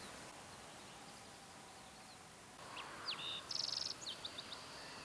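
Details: Green-tailed towhee song on a June morning, Mesa Verde Plateau, Colorado: quieter, after a silent stretch a few thin slurred whistles lead into a fast high trill and scattered short notes, steady background noise throughout.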